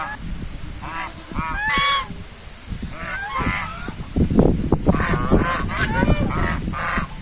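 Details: Many white domestic geese honk in loud, nasal, harmonic bursts, overlapping in quick irregular volleys, with a steady background hiss.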